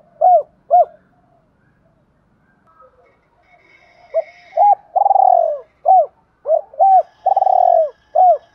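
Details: Spotted dove cooing meant to spur newly caught birds and decoys: two short coos, a quiet gap, then a lively phrase of quick arched notes and two long rippling coos.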